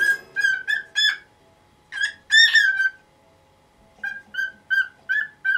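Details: Pet cockatiel, nineteen years old, making a fuss in the morning to have its cage cloth taken off; clear whistled calls in quick groups, a louder harsher burst mid-way, then short repeated whistles.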